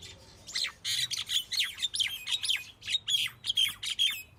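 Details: Common myna delivering harsh, squawky chatter, a rapid tumble of loud rasping and slurred notes with little pause between them.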